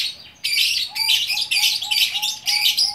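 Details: Gacor orkestra song of a lovebird in Bukittinggi, West Sumatra: dense bursts of shrill, scratchy chatter, with a soft lower whistle repeated about every third of a second beneath it.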